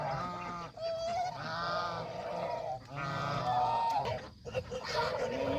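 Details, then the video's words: Adult and baby geese on a countryside farm eating fresh grass by the pond; loud, drawn-out nasal honks from several birds run almost continuously, with a few rising whistled peeps between them. "Happy Geese Enjoy Fresh Grass by the Pond"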